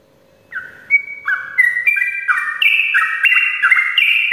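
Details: Vigorous morning singing by a sooty-headed bulbul, used as a prompt for lazy birds; after half a second of silence, clear whistled notes begin and quicken into a climbing, bubbly string.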